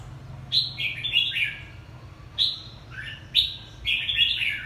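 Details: Two-season red-whiskered bulbul from Quảng Nam, Vietnam, singing loud, clear phrases of quick whistled notes that rise then tumble downward, four bursts spaced about a second apart, little background noise.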